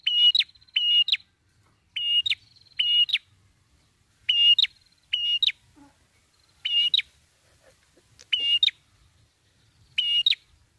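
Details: A prinia (prenjak kepala merah), recorded as a lure call, gives loud, buzzy paired notes, each pair a quick double chirp repeated about every one and a half seconds. The background is quiet.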